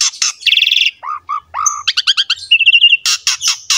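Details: Song of an Asian pied starling used to prompt young starlings to sing: harsh buzzy bursts, low whistled notes, a quick run of trilled chirps and a steady warbling trill, all packed tightly together.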